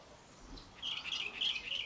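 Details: High, warbled notes from a Cape robin-chat in a garden, beginning after a quiet pause as a rapid, slightly rough trill that wavers up and down for about a second.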